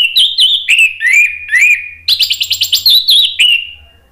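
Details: Orange-headed thrush singing a rich, varied run of clear whistles and slurred notes, then a fast chattering burst that fades out; used as a lure to prompt silent birds to sing.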